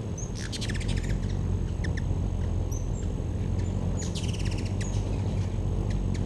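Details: Several hummingbirds around a backyard feeder in 2013 utter short bursts of fast, high, rattling chatter separated by single thin chips, over low steady background noise.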